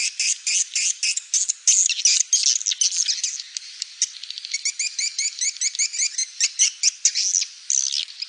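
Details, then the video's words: Swiftlet call played to attract swiftlets: dense, high chattering twitters in rapid bursts, shifting midway into a quicker run of short, bright chips. The sound is thin and lacks any low tones. "Suara panggil burung walet terbaik terbaru"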